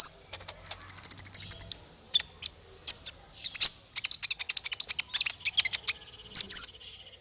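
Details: Training song for small fighter birds: a very high, rapid, buzzy trill, then dense runs of chirps and twittering notes, ending with a couple of sharp high whistles.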